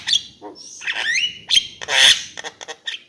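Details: Javan myna giving a varied phrase: a high whistle, a buzzy rising slur, then loud harsh squawks and a few clipped notes.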